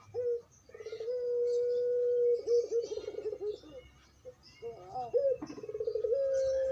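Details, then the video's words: Barbary dove of the long-cooing pelung type from Demak city, giving its 'crying' coo: a long steady held tone that breaks into wavering, quavering notes, a pause, then bubbling rising notes and another drawn-out tone; faint chirps of small birds behind. "puter pelung suara nangis"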